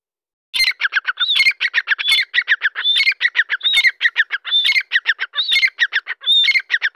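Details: Grey francolin, a Deccani teetar described as fired up, calling loudly and continuously: strident ringing, grating notes repeated in fast, uneven phrases for about six seconds. Nothing else is heard.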